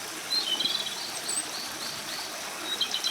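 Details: Japanese robin, one of Japan's three famed songbirds, singing continuously after emerging into view: high, rapid trilled phrases early and again near the end, over a steady rush of flowing stream water.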